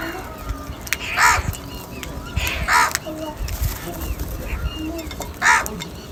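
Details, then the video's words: Crows in huge numbers call for food. Three loud, hoarse caws ring out at irregular gaps of roughly one and a half to three seconds, with softer calls from the surrounding flock and light outdoor background noise. "Huge numbers of crows Call for different foods"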